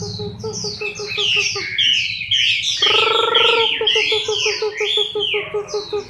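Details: Chinese hwamei moulting in October 2015 sings bright tumbling whistles over steady low rhythmic pulses, with a buzzy drone for about a second in the middle.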